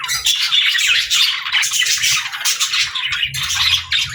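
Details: Pet birds chirp in a steady, busy stream of buzzy warbling and quick squeaky notes, with no pauses and a few sharper squawks.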